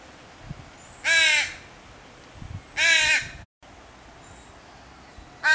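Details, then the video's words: A crow fledgling begs its mother for food with loud, harsh, drawn-out caws about every two seconds, each strident and slightly wavering, over a low background hum; the mother comes to feed it. "Baby Crow SOUNDS CALLING to Mother Crow"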